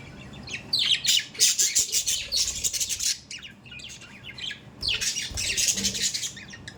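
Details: Loud budgerigar chatter: two long runs of harsh, buzzy squawks and chirps separated by a short lull, filling the upper range.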